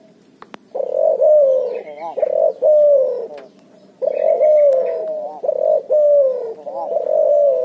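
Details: Barbary dove × spotted dove hybrid, called cuhu, cooing energetically in ngoar nguku fashion: two runs of linked low coos with wavering, quavering joins and a brief pause between the runs.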